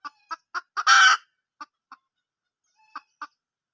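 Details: A wild junglefowl hen utters four quick clucks, a loud harsh squawk, then scattered single clucks spaced with pauses.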